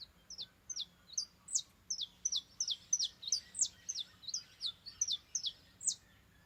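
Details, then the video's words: Saffron finch in a rural backyard singing a loud, continuous series of high, sharp, falling chips, roughly three a second, some doubled or slightly lower, over a quiet background with a soft low hum. "CANÁRIO DA TERRA"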